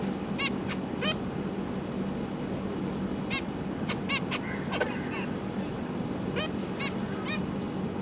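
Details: Zebra finches, parents feeding three juveniles and three new chicks, 12 December 2022: scattered short nasal toy-trumpet honks, some in quick pairs, about a dozen in all, with a steady low electrical hum throughout.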